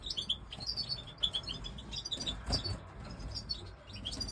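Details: European goldfinch of the Major type, pied with white head, twittering a fast run of high liquid notes and trills, followed by scattered chirps; a thump and steady low hum underneath.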